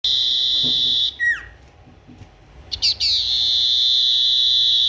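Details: Tailorbird singing actively: a long steady high whistled tone ends in a quick downward-sliding note, then after a pause a few short rising chips lead into another long sustained high whistle.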